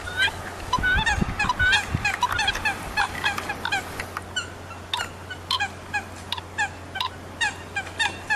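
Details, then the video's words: Many Eurasian coots call at once: rapid bursts of short, falling, honking notes early on, then spaced single notes every half second or so, with a low mains-like hum. "Tiếng sâm cầm"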